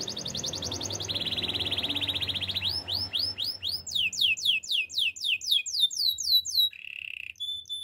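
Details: Canary song opening with a high rapid trill, dropping to a lower buzzy roll, then a run of swooping descending whistles and a short low trill.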